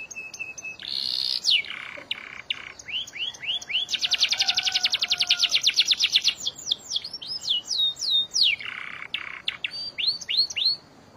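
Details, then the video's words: Canary, sung continuously with long filler passages as training song: whistled notes and upward sweeps, then a long rapid churring roll of about two seconds, followed by clear rising whistles and buzzy notes. "TERAPI KENARI ISIAN GACOR PANJANG | CANARY SINGING"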